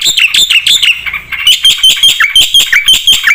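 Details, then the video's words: Vigorous black-winged starling song full of varied phrases: rapid ringing chirps, a brief softer patch, then a quick sequence of sharp whistles dipping and rising in pitch, about four per second. "suara burung jalak putih gacor full isian"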